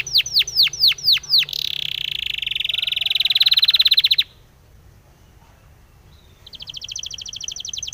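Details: Spanish timbrado canary in training song: a few slow descending sweeps, then a dense buzzy rolling trill that stops abruptly, a pause of near silence, and a new fast pulsed trill starting up.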